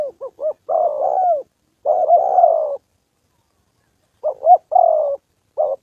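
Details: Decoy spotted dove in training in Gia Lai, Vietnam, 2 September holiday: clipped double coos leading into long wavering coos, a two-second silence, then the pattern resumes.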